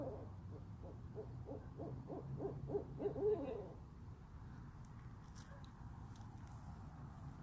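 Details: Owls heard in a yard giving a quick series of soft hooting notes for about four seconds, then falling silent, leaving low steady background rumble.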